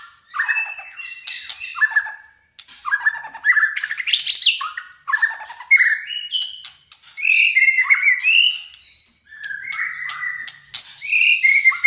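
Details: Fighter-type white-rumped shama from Malaysia in full song, pouring out rich varied phrases of whistles, rising slurs and rasping notes in bursts separated by short pauses.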